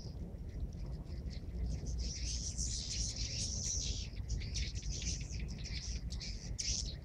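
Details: Swiftlets entering a swiftlet house in Subang, Indonesia, after the call to prayer twitter continuously in dense, high, buzzy chirps, many birds at once, over a steady low rumble.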